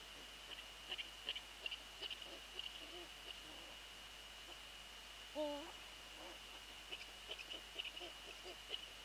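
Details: Eurasian eagle-owl near its nest at night, 13 January 2014 around 21:05, during a prey transfer: one clear, bent, tonal call midway, amid scattered faint ticks and clicks over steady background hiss.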